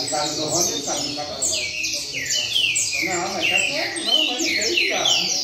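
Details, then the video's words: Caged double-collared seedeater in a training circle singing the rain song style: rapid series of high, thin downslurred whistled notes tumbling one after another, with a man talking in Portuguese underneath. "Coleiro Mack Na Roda Cantando Centrado Canto Chuva!!!"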